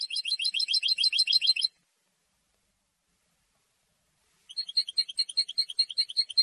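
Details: A European goldfinch sings to hold its territory and attract females. A dense, rapid high trill runs nearly two seconds, then there is a pause of almost three seconds, then a second, slightly slower twittering phrase.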